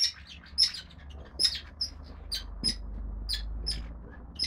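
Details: Five young red-rumped parrot nestlings, lutino and pied-dilute females, in their nest: scattered short sharp high chirps and squeaks about once a second over a steady low hum.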